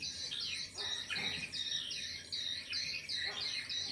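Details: Swiftlet call, high twittering chirps in quick succession, each note a short bright sweep, repeated in a steady chattering run of roughly three per second with a few lower clicks beneath.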